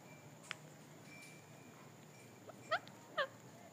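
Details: Rose-ringed parakeet in a tree gives two loud, harsh, downward-slurred squawks about half a second apart, after a faint thin whistle, over a steady background hiss.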